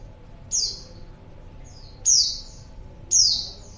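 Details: Female white-eye used as a lure for males, three piercing high notes each dropping in pitch, spaced about a second apart, a soft faint chirp between, light background hum.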